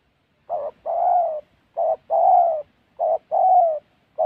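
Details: Spotted dove heard during a trapping trip in the wild mountains of Gia Lai, Vietnam. Three clear two-part coos sound at steady intervals, a clipped opening hoot then a prolonged mellow descending coo, with another beginning at the end.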